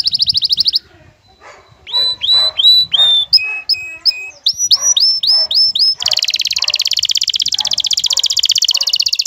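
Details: Canary song from an excited male courting a female, with her call: brief trill, a run of repeated whistled upslurred notes, then a long dense rapid trill.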